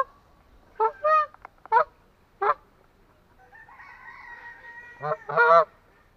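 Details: Atlantic Canada goose honking: several short nasal honks, then a fainter drawn-out tonal call in the middle, ending with a loud pair of rich, strongly harmonic honks.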